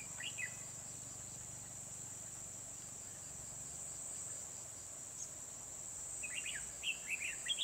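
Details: Red-whiskered bulbul at Kim Bôi, Hòa Bình, during trapping with a decoy bird on 24 December 2020. A brief chirpy phrase opens, then rapid twittering notes cluster toward the end against a constant high-pitched insect whine.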